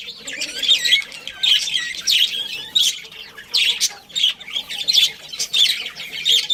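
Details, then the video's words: Captive budgerigar colony with a breeding pair, chirping in bouncy repeated bursts roughly every second, each a cluster of bright, buzzy warbled notes. "Cute Budgies Chirping Sounds"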